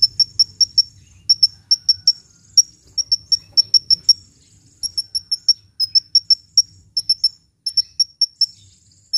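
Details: Lively hummingbird song for luring birds and prompting silent birds to sing: clusters of rapid, needle-thin high chips in groups of four to eight, with occasional faint buzzy notes between bursts and quiet low hum behind.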